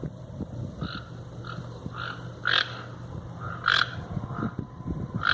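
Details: Toucans in the wild calling with brief, hoarse croaks repeated about once a second, some louder than others, over a steady low hum.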